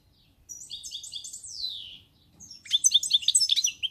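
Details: European goldfinch singing on 1 May 2019: a run of quick jingling notes, then a drawn-out downward-sliding whistle. After a short pause comes a dense, rapid, liquid twitter of repeated high notes.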